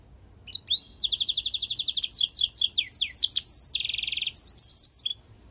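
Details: Canary × European goldfinch mule singing: an upslurred whistle opens into fast repeated chirps, twittering slurs, a steady buzzy trill and further quick chip series, all high and lively.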